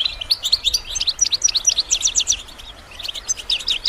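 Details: Goldfinch song used to train songbirds: a lively, steady series of crisp high chirps, several each second, with some thin whistled accents and a faint low rumble beneath.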